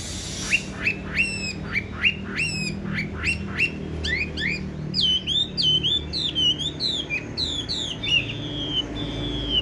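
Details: Caged tame Chinese hwamei, yellow-legged and yellow-billed, known for a loud voice: sharp upswept whistles repeated about every half second, then faster jumbled warbling and a final drawn-out whistle over faint background music.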